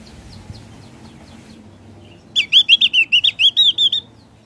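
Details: Javan grey-throated white-eye in ngeplong song: after a quiet start, a loud, fast run of about a dozen high, wavering whistled notes, evenly spaced and clear, lasting two seconds.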